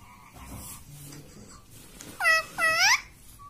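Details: Pet parrot indoors saying "mummy": after quiet room noise, two loud, harmonic, bending syllables come in quick succession, each sliding downward, about half a second apart.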